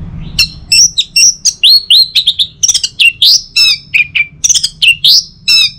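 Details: Orange-headed thrush song played in the morning to prompt other birds to sing: a dense, continuous run of varied loud whistled and slurred notes, some rising and some falling, delivered rapidly with a faint low hum beneath.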